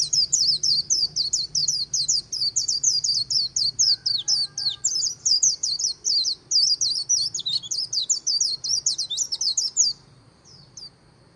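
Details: High, fast líu song of a white-eye by the Kỳ Cùng riverbank. Dense, continuous chattering notes run unbroken for about ten seconds, then stop abruptly, leaving quiet background.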